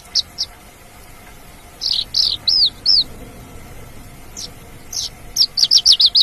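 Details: Singing Mongolian lark in the wild, giving a few spaced sharp notes, a set of loud arching whistles, and then a fast run of bright high chirps, with a faint steady hum in the background.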